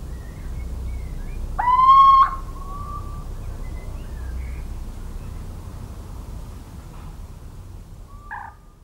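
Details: Little owl in countryside of central France, recorded on 17 March 2019: one loud nasal call with a rising harmonic-rich start levelling into a steady tone, then a faint later note, with low rumbling background.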